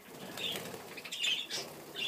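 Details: Pet budgerigars getting nippy on their owner's hands give short, scratchy high chirps in brief bursts over a soft fluttering, rustling background.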